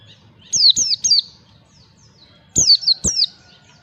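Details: Ngalas-style white-eye singing meant to train birds: two clusters of three sharp, high whistles, each falling in pitch, separated by about a second and a half of quiet, with faint thuds below.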